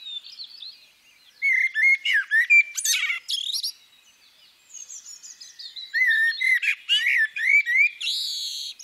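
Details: Female common blackbird giving two phrases of low, flute-like warbled whistles. Each phrase runs into high, squeaky, chattering twitters, with a short pause between them.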